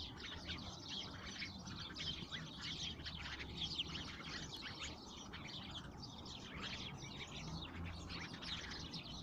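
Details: A flock of urban sparrows in Moscow chirping nonstop: dense, overlapping short cheeps from many birds form a busy chatter throughout, over low city background noise.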